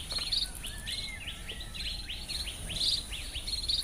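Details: White-rumped munia, known in Garo as do-bit, Garo Hills, Northeast India: rapid series of sharp downslurred chirps with brief buzzy high bursts and a few thin level whistles, run together almost continuously, over a faint constant hiss.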